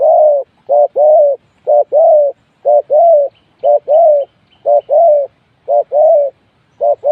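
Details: A spotted dove used as a trapping decoy coos steadily, a short note followed by a longer hollow one, the two-part phrase repeated about once a second, with faint high chirps behind.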